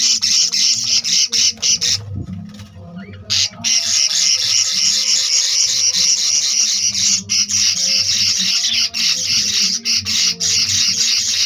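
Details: Budgerigar (Melopsittacus undulatus), chick calls.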